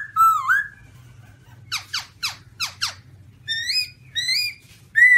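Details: Singing black-throated laughingthrush, white-cheeked form: a loud dipping whistle, a pause, four rapid harsh buzzy notes, then repeated rising whistled notes and a final bright whistle, with a faint low hum behind.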